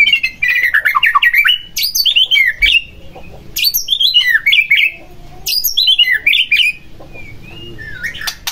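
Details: Provocation song of a white-rumped shama, played to get another shama singing: varied bursts of high sweeping, warbled whistles and sharp downslurred notes, repeated in three phrases separated by short pauses.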